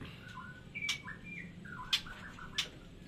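A black shama sings a varied run of clear whistled phrases, some sliding and some warbled, broken by three sharp, bright chips. A low hum sits underneath.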